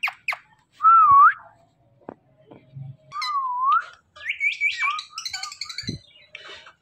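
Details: Indian ringneck parakeet mimicking speech: clear wavering whistles give way to a run of squeaky, clipped word-like syllables and short chatter, indoors with a little background clatter.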